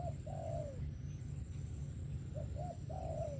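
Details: Spotted dove with a good 'sấm thổ' voice: a long falling croon, a pause, then two short coos and another long sliding croon, all mellow and low over a continuous deep hum.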